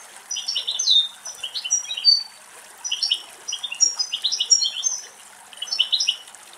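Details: Adult female European goldfinch bathing at a natural spring pool in a shady Greek forest, singing a lively jumble of high tinkling, twittering notes in bursts with short gaps, over a soft hiss of water.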